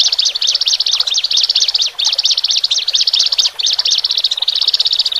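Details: Caged Horsfield's bush larks, male and female, singing a lure song to calm newly separated birds. The song is a dense, continuous chatter of rapid high trills, with phrases repeating almost without pause.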